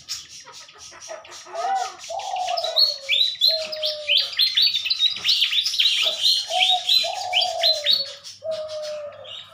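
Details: A caged pied fantail sings in the morning during a pairing attempt: a fast, dense run of high squeaky chirps builds and repeats, with low level cooing notes beneath and between.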